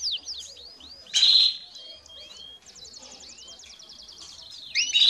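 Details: Canary singing and calling, used as training song for young birds: rapid high whistled trills, slurred downward notes and a long buzzy rolling trill, with a few loud bright bursts.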